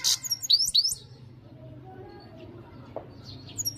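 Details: European goldfinch in loud full song: a quick burst of bright, high twittering notes in the first second, a quiet stretch, then a few more sharp high chirps near the end, over a low steady hum.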